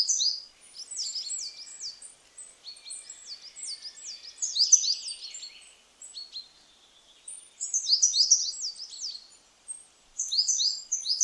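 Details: Coal Tit in Nordic deep woods (about 60,000 pairs in Finland) sings very high, thin, loud, piercing 'beepety beepety beep' notes in quick repeated bursts, several phrases with short pauses between, like a hurried Great Tit.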